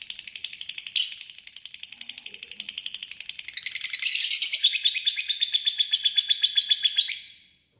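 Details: A fighter lovebird's long ngekek song, a continuous dense trill of rapid high pulses for about seven seconds, growing louder midway before fading out.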